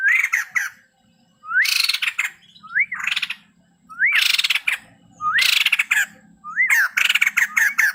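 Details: White-crested laughingthrush, male, in energetic song: six phrases, each an upward-curving whistle leading into raucous, rapid chattering, spaced roughly a second apart, with a faint low hum beneath.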